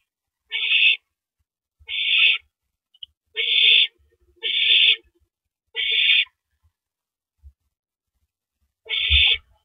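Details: Nesting owl handing a rabbit to its mate after eating its fill, night of April 9, 2012; six raspy hissed screeches, each under half a second, spaced about one to two seconds apart, with soft knocks below.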